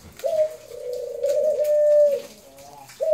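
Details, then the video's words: A single sustained dove coo runs for about two seconds at a steady mid pitch, beginning with a short higher note and a slight dip, then fading, before the next coo starts. "Singing Dove"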